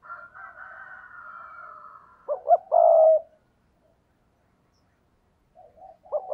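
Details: Decoy spotted dove cooing to draw in wild doves. Faint, drawn-out higher tones come first, then a loud phrase of two brief notes and a long level coo, and another phrase starts at the end.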